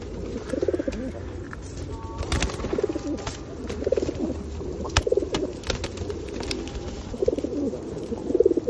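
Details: Feral pigeons being fed in the rain at Osu Kannon temple in 2021; soft, low, rolling coos repeat roughly every second over a steady rain hiss, with scattered clicks and taps.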